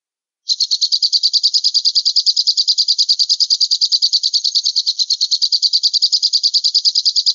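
A falcon gives a shrill, high, rapid kee-kee-kee, about three notes a second in an unbroken, even series with no other sounds.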